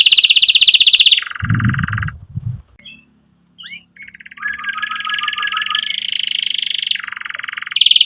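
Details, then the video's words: Canary chirping and trilling, played to stimulate young canaries to learn song and as therapy for canaries that stopped singing; loud, fast rolled trills and sustained buzzy notes, broken by a brief low rasping passage and a short pause. "Kenari Gacor Cuit Cuit EMOSI, Perangsang Kenari Paud Belajar Bunyi dan Terapi Kenari Macet Bunyi"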